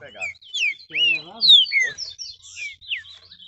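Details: Caged green-winged saltator, heated up by a rival bird and singing excitedly: loud clear whistled notes sliding downward, several in quick succession, with a human voice murmuring at the start.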